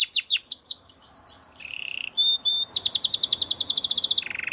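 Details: Canary song for training: rapid downslurred chirps, a low rolling buzz, a short pause with thin whistles, then a fast bright trill and a closing low buzzy roll.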